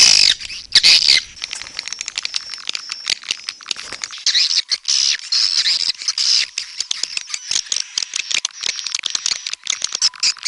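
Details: Swiftlets give a long, continuous run of high, rapid chirping and clicking, with a faint steady high tone running underneath throughout.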